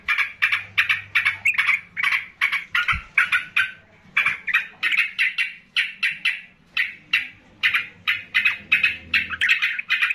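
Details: Agitated yellow-vented bulbuls answer a loud, chatty rival. They keep up a long series of rich, bubbling notes, about three a second, with brief gaps between phrases.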